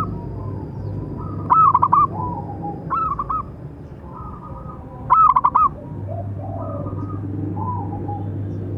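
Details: Local zebra dove with a strong voice giving its calling song, used for training and provoking other doves; three rapid bubbling coo bursts spaced a few seconds apart, fainter doves answering, low hum throughout.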